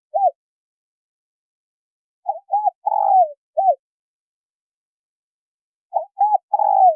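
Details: Female spotted dove calling to stimulate a male. Two soft coos lead into a long, wavering, falling coo, then a short final note. One full phrase sits in the middle, with fragments at the start and end. The background is silent.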